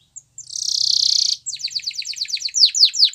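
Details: Canary song opening with a sustained high buzzy trill, then a rhythmic series of quick descending chirps repeated about four times a second, getting louder toward the end.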